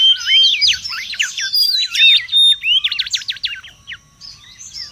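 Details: Wild mangrove whistler in lively song: looping whistled notes and a few pure level whistles give way to a quick trill of repeated strokes that fades toward the end.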